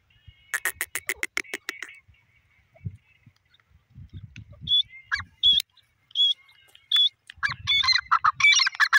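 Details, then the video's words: Francolin, Iranian type, calling: a burst of rapid harsh buzzy pulses, then sharp high whistled notes that repeat unevenly with short gaps. Low rumbling noise sits underneath. "irani dakhni teetar birds beautiful voice"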